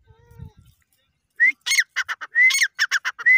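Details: A grey francolin starts calling after a short quiet pause. Sharp rising whistles lead into bursts of rasping, stuttered notes, about two phrases in quick succession.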